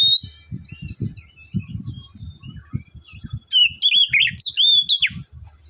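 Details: Wild Oriental magpie-robin in the forest, giving a burst of loud varied whistles and sharp sliding notes after a stretch of soft distant chirps, with low rumbling thumps throughout.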